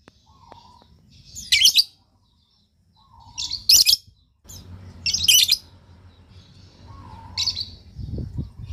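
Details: Lovebird calling to draw replies from other lovebirds: short harsh, high screeching bursts roughly every two seconds, separated by quiet gaps, with a low background hum.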